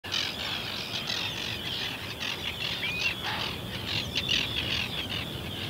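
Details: Common ringed plover calling at the Ythan Estuary: soft, rising whistled notes through a dense, steady chatter of high chirping calls from other shorebirds.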